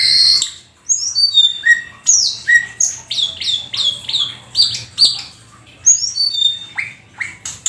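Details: Black-winged starling song, a lively full-repertoire song: a fast string of clear whistled notes sliding down from high pitches, with shrill squawks and chattering bursts packed closely together.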